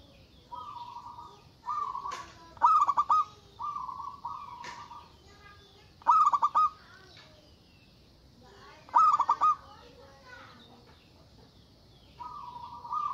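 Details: Local zebra dove, loud and eager, calling to challenge rivals. Even trilled phrases are broken by sharp clusters of rapid staccato notes every few seconds across a long, repeated sequence.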